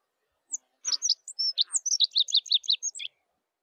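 A Rock Bunting gives a brief, high, thin twittering phrase of quick sibilant notes lasting about two and a half seconds, with no other sounds behind it.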